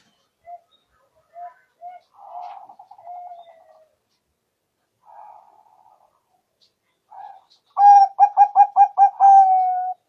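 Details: Zebra dove lure call for trapping: scattered soft short notes and murmured phrases, then a loud burst of rapid staccato coos ending in a drawn-out note.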